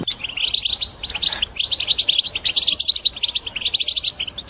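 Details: Strong European goldfinch song used to prompt other birds to sing and break their silence: a fast, unbroken stream of bright twittering notes and short trills.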